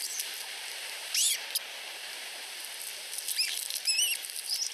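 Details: Osprey chicks, two hatchlings under a week old at a nest in Finland, whining for food from their mother: wavering high whistled notes around the first second, then a cluster of rippling, quavering squeals near the end, over background hiss.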